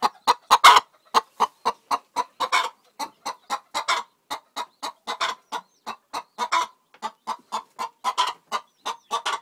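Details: A Faverolles-cross hen, while laying an egg, clucks steadily, about three short, throaty clucks per second, with a few louder, harsher notes near the start and little else audible.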